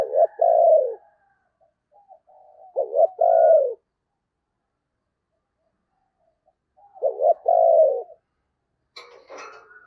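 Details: Decoy spotted dove cooing to lure wild birds during Tet: three deep hoarse coo phrases, each a clipped double note and a falling drawn-out coo, widely spaced, with a brief scratchy rustle near the end.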